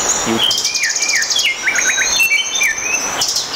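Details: Blue Nuthatch in Malaysia, active and moving about: repeated high, thin notes and short curved rising-falling whistles in quick series, over steady background insect or forest hiss.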